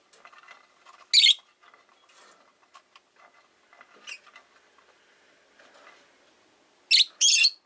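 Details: Rosy-faced lovebirds, five caged birds by a window at home, give two loud shrill screechy bursts near the start and end, with soft twittering chatter between.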